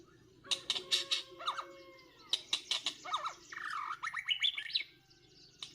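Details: White-rumped shamas fighting during trapping in Northwest Vietnam: harsh, loud squawking bursts, repeated several times, mixed with a long thin whistle, then a quick series of rising, warbled whistled notes before going quiet.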